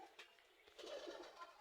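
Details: Many Giribaz pigeons give a soft, low, rolling coo in an enclosed space. Finding: Domestic pigeon.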